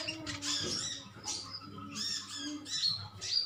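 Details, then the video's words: Green metallic sunbirds in a colony calling back and forth. Bright, high, overlapping chirps and thin squeaks come in loose clusters, with a faint low hum underneath. "Koloni burung konin metalik ijoan saling adu nyrecet"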